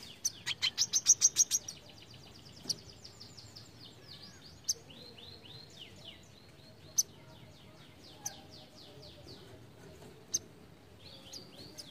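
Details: Brown-throated sunbird giving its besetan song: an opening run of about eight loud, rapid high chips, then scattered thin downslurred whistles and sharp ticks over faint rustling background noise.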